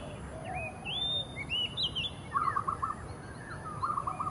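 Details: Oriental magpie-robin giving its territorial song in early morning: clear rising and falling whistles, plus a lower, rattling phrase repeated twice, all over a steady wash of background noise.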